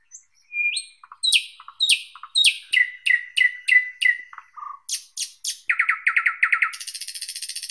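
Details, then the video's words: Thrush nightingale singing a loud, varied phrase: rising whistles, then a long series of sharp, evenly repeated chock notes, lower throaty bursts, and a final high, buzzing, fizzing trill. "Как поёт Соловей обыкновенный (Luscinia luscinia)"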